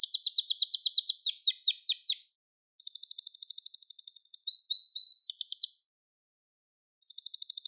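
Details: A Gloster canary sings a dense rolling trill, pauses, delivers a steady buzzy trill with a short whistle, goes quiet, then resumes trilling; no other sounds.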